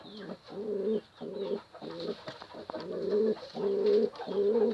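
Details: Pigeon cooing to a female in a steady series of low, rich coos, each about half a second long, with short silent gaps between them.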